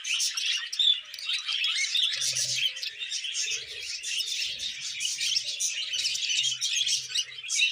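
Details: Budgerigars kept as pets, a male showing courtship toward a young female; chattering warble of fast chirps and harsh little squawks, with soft low sounds now and then.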